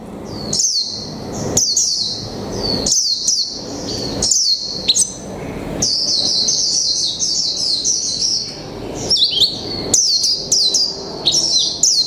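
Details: Caged Japanese white-eye of the mộc tinh type, one month in the cage, singing in the "líu pha chòe trống" style: high, bright warbled phrases of quick down-slurred notes and rapid trills, separated by short pauses, with faint low background hum.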